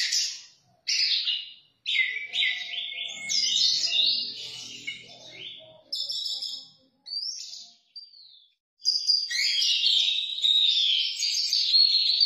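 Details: Orange-headed thrush singing in the 'teler' style: loud, varied whistled and warbled phrases, some sweeping down, others buzzy and chattering, in bursts with short pauses, with a faint low murmur underneath.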